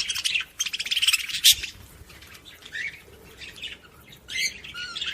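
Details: Budgerigar sounds used to stimulate other budgies, opening with loud rasping buzzy chatter, then softer scattered chirps and short whistled notes, followed by a final burst of warbling.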